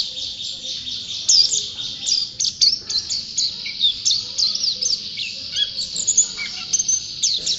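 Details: Champion white-eye, called pleci, singing energetically: a high, hurried chatter of squeaky chirps and twisting whistled slurs, swelling into louder bursts before easing slightly near the end.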